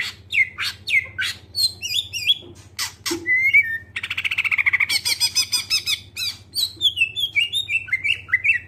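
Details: Greater green leafbird singing clearly to lure other birds into song: varied whistled slurs and sharp notes, a dense rapid rattling passage midway, then bright falling whistles over a steady low hum.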